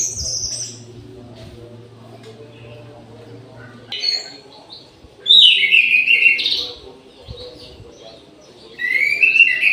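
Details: Orange-headed thrush at midday in an aviary: a varied song of high thin notes, a buzzy burst, then loud tumbling warbled phrases and a final whistled run, over a faint low hum early on.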